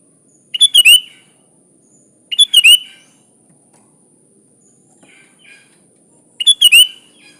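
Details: Sooty-headed bulbul singing in the full, lively gacor style with natural isian fills: three short, bubbly, liquid phrases of quick rising and falling notes, spaced about two to three seconds apart, with a faint steady high hiss.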